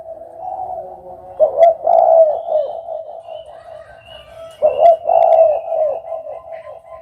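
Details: Spotted dove cooing: two phrases of low, mellow, hooting coos, one near the start and one about three seconds later, with quieter cooing between and faint background noise.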